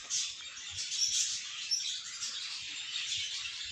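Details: Young budgerigars out of the nest for the first time, filling the air with steady, shrill overlapping chirps and squeaks, busy and unbroken, with soft low knocking in the background.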